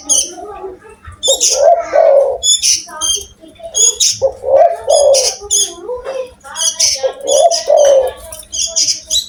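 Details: Spotted dove calling actively in a big, loud voice: low hoarse cooing phrases repeated about every two to three seconds, overlaid by frequent high thin chirps from other small birds.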